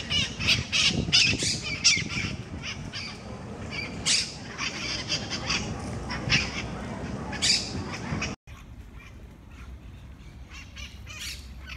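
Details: Several monk parakeets fighting over food in Parc de la Ciutadella, Barcelona, Spain, give harsh, grating squawks in quick, overlapping bursts, with mitred parakeets squawking from trees above, over a steady low rumble of city noise.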